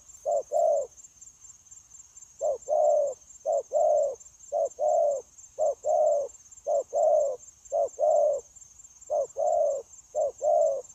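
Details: Trained decoy spotted dove used in dove trapping, recorded 9 January 2024, cooing steadily: low, mellow coos in short-long pairs, about one per second with brief pauses, over a constant thin high-pitched whine.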